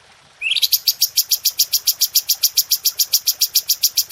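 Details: Red-whiskered bulbul training recording for cage birds: one upward slurred note, then a sharp, tightly spaced burst of clear high notes repeated about three to four times a second.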